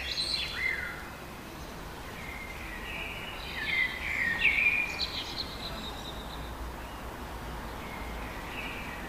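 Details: Common swifts at a breeding colony in Heverlee, Leuven, Belgium, on 20 June 2018 at 22:30 give thin, shrill, buzzy screams in short bursts, rising and falling, over a steady background hiss.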